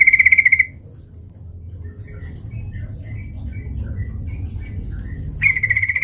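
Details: Sooty-headed bulbul played as a lure to provoke fighting: a harsh, buzzy, rapidly pulsed chatter of about two-thirds of a second opens, faint scattered chirps follow, then another buzzy burst closes, over low background rumble.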